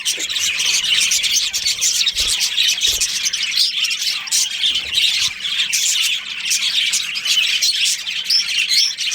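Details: Colony of breeding budgerigars chattering together: a continuous wall of high, buzzy chirps and squawks from many birds, with a few faint low knocks.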